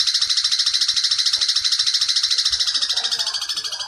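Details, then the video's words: Long-tailed shrike song of the petir type, used to tutor young shrikes: a loud, harsh, high chatter of rapid rasping notes, about three per second, in a steady run that slightly lowers toward the end. "masteran cendet petir"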